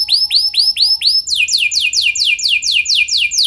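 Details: Canary singing a lure song to stir other canaries: five arched, ringing whistled notes, then a quick steady series of sharp descending sweeps repeated several times a second.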